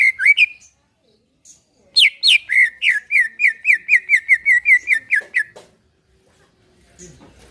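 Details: Greater green leafbird singing in relaxed style to prompt caged birds: a short opening phrase, a pause, then a fast, even run of about fifteen crisp whistled notes, followed by quiet rustling.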